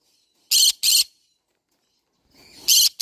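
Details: Green-cheeked conure giving loud, harsh paired screeches, two sharp bursts close together, then a quiet gap and another pair near the end.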